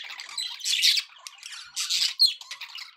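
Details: Happy budgies kept as pets chatter in short scratchy bursts, with bright squawky notes and quick chirps separated by quieter gaps.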